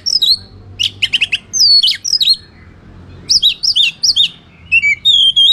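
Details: White-rumped shama fighting song meant to provoke rival birds: loud whistled notes sliding down, rapid buzzy chatter bursts, then repeated two-part rising-falling whistles and a sustained lower warble at the end.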